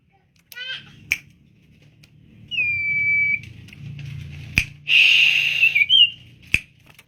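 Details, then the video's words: Tame caged common iora in full song: a quick descending run of notes, then a long steady whistle, a buzzy burst and a fluttering warble, with sharp clicks and a faint low hum beneath. "burung sirtu cipo gacor"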